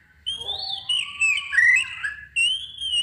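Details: Oriental magpie-robin song meant to provoke other birds to sing: a quick string of loud varied whistles and slurred notes with brief gaps, ending in a high sustained whistle.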